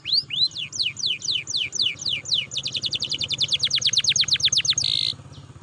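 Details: Canary song intended to make other canaries sing: downward-sweeping whistled notes speeding into a fast regular trill, ending with a short buzzy burst.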